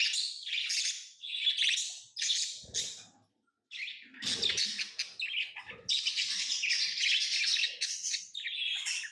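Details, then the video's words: Tamed lovebirds chirping almost nonstop in shrill, scratchy high notes, rapid bursts running together after one brief pause, faint low knocks in places. "Love birds Sounds | lovebirds chirping sounds"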